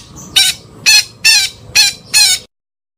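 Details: Five short, squawking parakeet calls with a slightly tonal, nasal edge, spaced about half a second apart over faint background noise.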